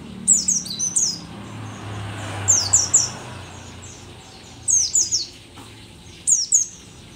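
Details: From Merapi, a rare endemic dakun mountain white-eye, aged but still singing keenly, pours out high, sweet, falling whistles in groups of two to four. Phrases come every second or two, with faint low hum beneath.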